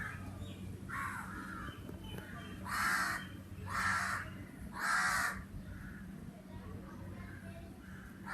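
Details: Crow cawing outdoors: harsh, broad, hoarse caws, three loud ones close together around the middle and fainter ones before and after, roughly one per second, over a steady low hum.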